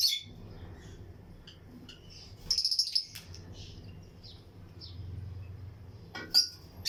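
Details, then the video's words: Lutino lovebird pairs chirping in a colony aviary among other birds; a short run of fast high twitters, soft scattered chirps, then sharp loud chirps near the end, with a steady low hum throughout. "Lutino Lovebirds Breeding Colony Cage - Chirping and Relaxing Sound"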